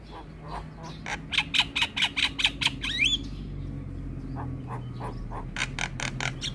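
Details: Javan myna (jalak kebo) in lively chattering song: a run of harsh squawky notes, then a rising whistled swoop, followed by more rasping bursts; steady low hum behind.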